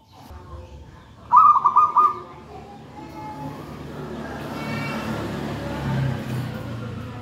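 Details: Zebra dove of local wild stock, taken from a nest in a pisang raja banana plant, singing one short burst of rapid, stuttered cooing notes, followed by a rising background rumble of noise.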